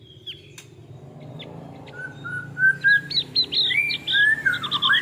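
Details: Male Javan grey-throated white-eye giving varied whistled notes, some short and high, others longer, slurred and falling, that grow louder and quicker toward the end over a low background hum.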